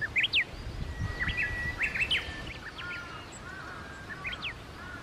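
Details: Japanese bush warbler singing after rain on 19 May 2020: a long, steady whistled note followed by a quick, rising-and-falling flourish. Other birds give short, sharp descending chirps before and after it, over a low rumble of background noise.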